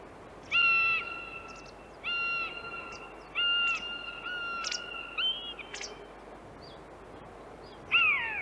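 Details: Common buzzard from Central Russia giving four loud, level, nasal mewing notes about every one and a half seconds, then a final falling mew; faint small-bird chirps behind.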